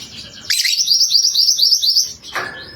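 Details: Yellow mantenan, an active singer, recorded as a lure call for birds: a loud, high, rapid trill of evenly repeated notes lasting about one and a half seconds, ending in a short, lower, falling note.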